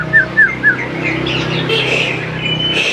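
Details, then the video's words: A greater green leafbird in full song, used as a lure to get young birds to answer, opens with three quick down-slurred whistles, then runs into a varied, higher warbling phrase over a steady low hum. "CUCAK IJO GCOR SANGAT AMPUH BUAT PANCINGAN CUCAK IJO MUDA BAHAN LANGSUNG NYAUT IKUT GACOR"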